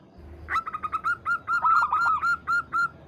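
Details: Local Zebra dove cooing to challenge a rival: a run of short staccato notes that speeds into a steady string of clear, evenly spaced coos, with a faint low hum behind.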